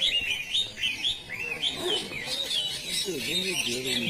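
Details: Greater green leafbird (plain type) singing at a practice singing competition in South Aceh, Indonesia: high looping whistled phrases repeated in quick succession, with other birds and men talking underneath.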